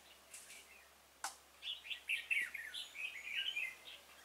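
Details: At a bulbul trap on 26 February 2018, a decoy red-whiskered bulbul calls in a stubborn wild bird; a sharp knock, then a run of fast, bubbling whistled notes rising and falling without pause.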